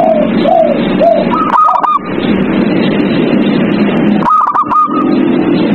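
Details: Captive zebra doves at night, their song meant to prompt other doves to sing. Three lilting arched coos open, then two quick stuttering bursts of higher notes, over steady dense background noise.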